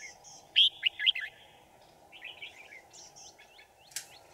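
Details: Red-whiskered bulbul used as a decoy at a trap to lure wild birds, recorded 5 January 2018: a loud burst of three quick warbled notes, then softer chirpy phrases. A steady low hum runs underneath.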